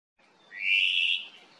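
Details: ʻŌmaʻo (Hawaiian thrush) calling to its cohorts at the Kaulana Manu Nature Trail, Island of Hawaiʻi: one harsh, raspy, drawn-out note lasting about half a second, with a quiet background.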